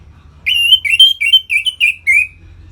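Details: Loud 'ngeplong' song of an Orange-headed thrush, used to excite captive birds into breeding condition: a flowing phrase of about seven linked, rich whistled notes, each slightly wavering, ending on a lower, trailing whistle.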